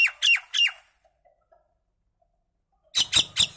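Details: Indian maina song: three rasping, descending notes in quick succession, then almost three seconds of silence, followed by another tight group of three harsh notes.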